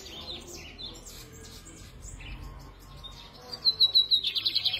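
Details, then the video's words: Captive lined seedeater singing from the hand on a Sunday, 13 November: after faint chirping, a thin high whistle leads into a quick run of sharp, evenly spaced notes that ends the clip. "faça teu bigode cantar na mão"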